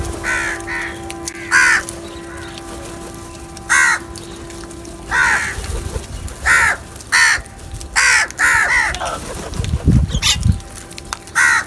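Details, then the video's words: A group of crows feeding together calls repeatedly: roughly fifteen hoarse caws, some in quick pairs, at irregular intervals, with a steady background hum and a few low thuds. "Crow Sounds"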